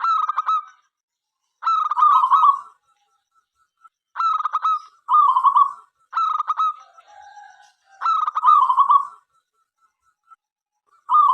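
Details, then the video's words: Lively local zebra dove calling out to other doves to start singing. About seven bubbling, stuttered coo phrases come at intervals of about one to two seconds over the quiet background. "perkutut lokal gacor suara MENGGODA apapun jenisnya 5 detik nyaut"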